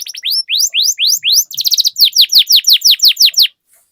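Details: Rolling canary song from a lure recording for training other canaries to sing: sweeping upslurred whistles, then a brief buzzy roll, then a run of loud downslurred notes, ending suddenly in near silence.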